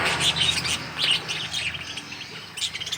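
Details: Budgerigars in a mini aviary during hand feeding chatter in quick, overlapping high chirps and warbles, several birds calling at once, over a low steady hum.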